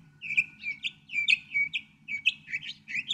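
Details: Continuous Northern mockingbird song: rapid, varied chirps and slurred notes tumbling one after another, with a steady low hum in the background.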